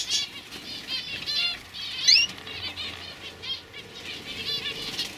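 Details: Young canaries from 2015 with rapid high trilled warbling in a steady flow, a sharp upward whistled note cutting through near the middle.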